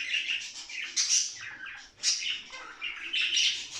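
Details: Budgerigars chattering, played to stimulate play, excitement and mating, with a warbling mix of buzzy, scratchy notes and squeaky whistles in bursts about every second, indoors.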